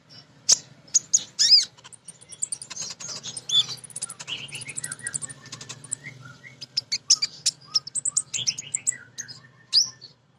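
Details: Female crimson sunbird calling to males, used to lure untamed birds into singing: dense high twittering with sharp chirps, rapid trilled bursts and short descending whistled notes, almost without pause, over a faint low hum.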